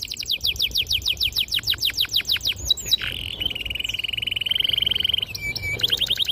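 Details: Canary with a clear, sharp, long song meant to spur young canaries to sing: rapid repeated descending whistles, a long level rolling trill, then quick high chirps.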